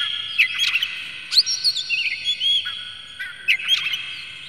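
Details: Oriental magpie-robin song used as a lure to excite other birds: scratchy, harsh notes mixed with short whistled warbles, in spaced bursts.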